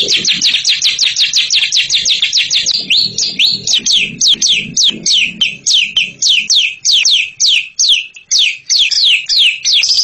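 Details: High, rapid ngekek trill from a champion bird that breaks into distinct sweeping chirps about twice per second over ten seconds, with soft low murmuring beneath the first half.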